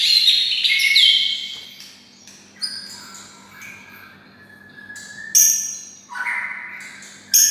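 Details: Kept white-rumped shama, reared near red-whiskered bulbuls, sings bulbul-style: sharp upswept whistles, then lower drawn-out notes and sudden high bright bursts, with quiet spells between the phrases.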